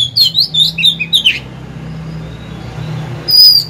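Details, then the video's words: Decoy Oriental magpie-robin singing to lure wild rivals into fighting: a rapid run of clear, sweet whistled notes sliding up and down, breaking off after about a second and a half, then resuming briefly near the end over a low steady hum. "Chòe than mồi hót hay quá!"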